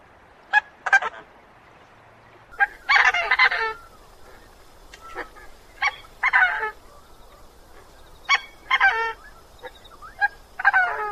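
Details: Coscoroba Swan, seen in groups on wetlands, estuaries and coastal waters, named for its slightly gruff honking call; irregular bursts of harsh, gruff honks in short clusters, with sharp single notes between.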